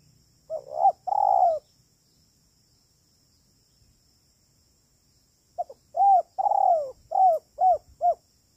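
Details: Spotted dove cooing for use as a trapping lure, "kuk 3" type. The end of one phrase with a long coo comes first. After a pause of about four seconds, a full phrase of short and drawn-out low mellow coos follows.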